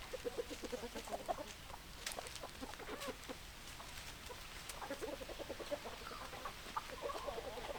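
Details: Hens clucking: low, quick clucks in loose runs and a few sharper notes, several chickens calling at once over a steady noise bed.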